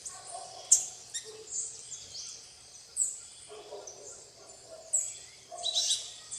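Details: Plain parakeets eating bananas alongside tanagers and other birds in RPPN Santuário Rã-bugio, Guaramirim, Santa Catarina, Brazil; sharp high screechy bursts roughly every two seconds over continuous chatter, with lower nasal notes underneath.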